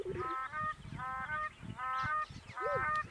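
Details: At Rigueik in Zakouma National Park, Chad, black crowned cranes call in four separate bursts of bright, layered honks, each about half a second long. A lower, bending call from another bird sounds at the start and the end.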